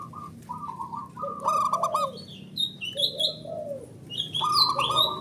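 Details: Male perkutut, Indonesian zebra dove, in a lure track of answering calls: short stuttering coos followed by longer trilled phrases, with loud rising whistles and quick chirping from other birds alongside.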